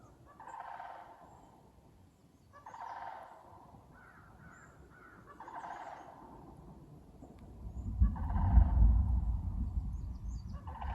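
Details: Loud squawking from a flock of sandhill cranes during a morning walk on a bog, thundery sky overhead, September: four rattling bugles at roughly 2.5-second intervals, then heavy low rumbling wind noise near the end.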